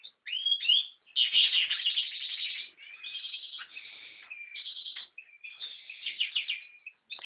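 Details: Singing American goldfinch delivering long, varied twittering phrases: rich buzzy rattles, clear slurred whistles and a steady level note, flowing almost continuously with brief gaps.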